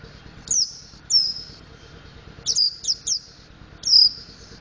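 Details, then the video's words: Mountain white-eye in song practice for ngriwik and ngeplong: high chirps with buzzy tails, then a quick run of three close notes, then a final downslurred chirp; faint hum behind. "Burung Pleci Montanus Belajar Ngriwik Ngeplong"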